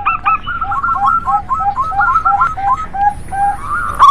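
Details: Zebra dove song meant to stir reluctant birds into singing: moderately loud, short whistled coo notes alternate between a higher and lower pitch in a bouncing, irregular pattern, ending in a brief rising note.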